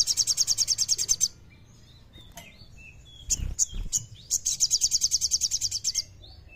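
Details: Kleper-style song of a common iora, played as a lure for birds that sing too little: a quick high pulsed trill, a pause with soft thin whistles and a few sharp chips, then a second rapid trill about two seconds long.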